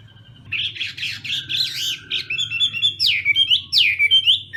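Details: Contest-style morning song of a Chinese hwamei in voice training, starting after a brief pause: rapid tumbling whistles and slurred notes that grow louder, ending in sharp downward-swooping whistles, with a steady low hum behind.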